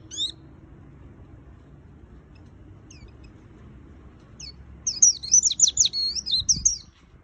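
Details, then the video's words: White-eye singing in the "gacor full isian" style. A few isolated high chirps open the recording, then a long pause, then a two-second outburst of fast, tangled, high twittering with sharp rising and falling slides. "Suara Burung Pleci Gacor Full Isian - Tiếng chim vành khuyên líu"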